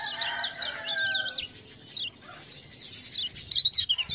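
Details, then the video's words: Rapid high twittered song of a lemon-bellied white-eye kept as a tutor bird in Lombok, stirred by ciak-ciak sounds; a dense burst, a near-silent pause, then loud squeaky notes with clicking returning at the end. "Kecial Kuning joss gacor"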